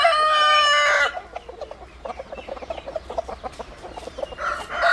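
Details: Rooster ends a loud, harmonically rich crow, followed by a run of soft short clucks and scratchy ticks, then a new crow beginning at the end.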